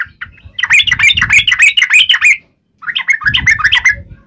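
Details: Bulbul fighting song in the wild 'tarung ngalas uplik ropel' style, aimed at making yellow-vented bulbuls answer: lively twittering runs of rising and falling notes in two phrases, over a soft low hum.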